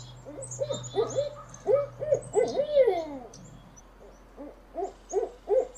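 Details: Owl call played to lure birds: a run of short, mid-pitched hoots in quick uneven series, one longer descending slur in the middle, faint high chirps above and a low hum early on.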